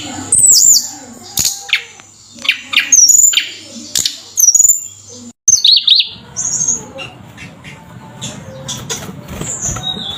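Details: Flowerpecker singing actively (gacor), meant to raise other birds' morale: high downslurred whistles and sharp ticks in the first half, followed by a quieter, noisier stretch with faint distant chirps.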